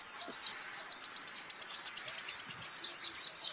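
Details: High-pitched white-eye song for training cage birds: opening squeaky twitters, then a sustained rapid trill of bright, evenly spaced notes, closing with a few sharper slurred chirps.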